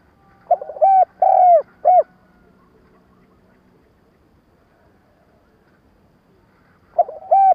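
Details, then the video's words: Spotted dove kept as a decoy, cooing in the stuttering style used for trapping; a burst of short and long hollow coos, several seconds of near silence, then the phrase begins again. "Tiếng cu gáy mồi cà lăm gù - gáy - thúc kích bổi nhanh nổi"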